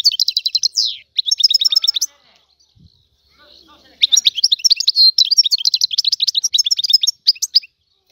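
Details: Goldfinch song from a free Algerian bird: two quick twittering bursts, a two-second lull, then a long, lively run of high chirps, trills and buzzy slurs.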